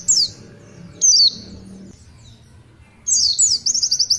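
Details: Oriental white-eye giving its extended 'tulitwitwit' song: isolated high descending whistled slurs with pauses, ending in a fast rattling series of short thin notes.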